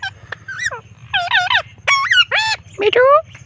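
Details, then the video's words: Pet blue Indian ringneck parrot (rose-ringed parakeet) talks during an evening walk, about seven quick, nasal, wavering syllables, some rising sharply, over a steady low hum. "Ringneck Parrot Talking"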